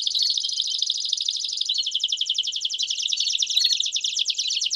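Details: A canary sings a continuous, rapid trilling song of bright, high rolling notes, played to stimulate singing and train young birds.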